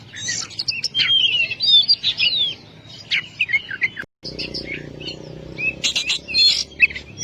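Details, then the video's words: Oriental magpie-robin (Kacer) singing loudly and continuously: fast varied whistles, twangy slurs and sharp high chips, a brief dropout midway, then more bright chattering notes. "Masteran burung Kacer/Klacer gacor dor nembak durasi panjang"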